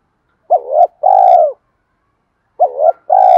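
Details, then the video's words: Spotted dove, calling to challenge other doves: paired low coos, a short wavering one followed by a longer steady one, repeated twice about two seconds apart, loud and close. "tiếng chim cu gáy kích bổi hiệu quả"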